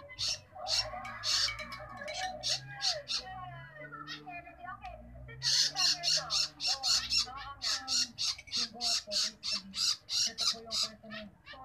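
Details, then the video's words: Long-tailed shrike chick begging while being fed: harsh, raspy squawks repeated about three times a second in noisy bursts, with low voices murmuring underneath. "feeding baby bird shrike."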